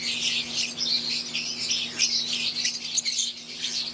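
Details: Many caged lovebirds, wild-type green Fischer's and Euwing, chirping together in a thick high-pitched chatter, with brief sharper squeaks near the end and a low background hum.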